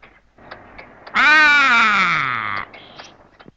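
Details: Grey Go-away-bird (grey lourie) giving its sudden, harsh "go away" alarm cry as a cheetah stalks ostriches in tall bushveld grass: a single nasal, drawn-out cry of about a second and a half sliding gently downward, faint clicks before and after.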